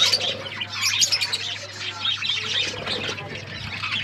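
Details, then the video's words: Budgies, kept as pets, chirping during a meal; steady high-pitched twittering and warbled chatter from more than one bird, fairly even in loudness, over a faint low hum. "Australian parrots eating food birds chirping sounds"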